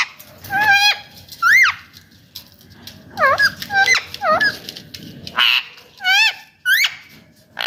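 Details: Indian ringneck parakeet kept as a talking pet, calling repeatedly with loud, ringing squawks that rise and fall in short arcs, roughly one every half second to a second, over low background hum.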